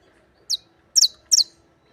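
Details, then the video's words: Creole canary (canario criollo) giving three short, bright, high chirped notes in quick succession over about one second, the last two doubled, with a quiet background. "Canario criollo"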